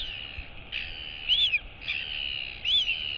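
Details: Royal albatross chick greeting her mother, who has come in to feed her, 23 August 2022. Two clear arched whistles, each rising then dropping, about a second apart, over constant high-pitched hiss.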